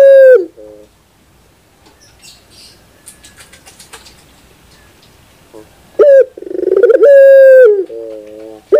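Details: Puter bird, or Barbary dove: a brief coo at the start, then a long quiet stretch with faint rustling, ending in a loud rising note, a rolling burst, a long steady coo and wavering hoots.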